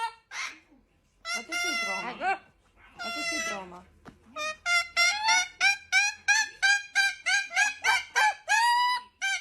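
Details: Two pet cockatoos squabbling: long harsh nasal squawks at first, then a rapid run of loud, harmonic honking calls repeated about three times a second, each note short and strident.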